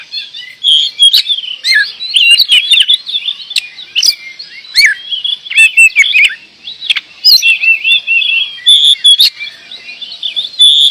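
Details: Kacer (oriental magpie-robin) from Indonesia in prolonged 'gacor door' song. Rich, rapid warbling of slurred whistles and chattering notes runs nonstop, with only momentary dips in loudness.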